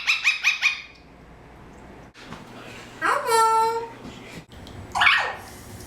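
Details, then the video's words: Adopted 13-year-old male Eclectus parrot, a pet indoors, making sounds: four quick repeated squeaky notes, a pause, then a drawn-out voiced note with rich harmonics, and a short harsh squawk. "Eclectus Parrot Talking and Making Sounds"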